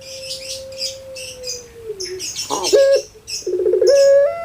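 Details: Kept puter pelung dove from Java, Indonesia, with a long, steady, mournful coo that slowly sags in pitch, then a burst of rattling, quavering notes and a rising, stepped wail; thin high chirps of other birds are heard above.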